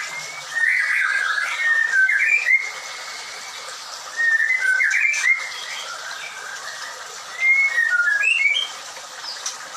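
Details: Captive white-rumped shama at a bird farm with ringed stock: three bursts of varied whistled phrases separated by short pauses, mixing warbled notes with clean upward slurs.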